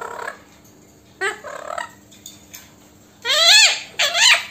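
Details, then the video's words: Female Alexandrine parakeet, a pet Indian parrot said to talk in Hindi: faint harsh notes early on, then two loud, arched, raspy squawks in quick succession near the end, over a low steady hum. "Bolne Wala Tota | Mitthu bete"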